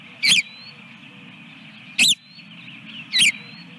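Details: Osprey at a nest holding eggs, Dunrovin Ranch, 24 April 2022: three loud, harsh, close bursts of sharp whistled call at uneven gaps of about one to two seconds. A steady chorus of small songbirds twitters in the background.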